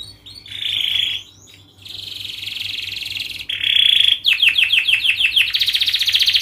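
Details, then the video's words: Canary singing the long, dense song played to train young canaries: steady buzzy trills with short gaps, then a string of quick sweeping whistles leading into a loud, fast trill. "Pancingan kenari paud belajar bunyi"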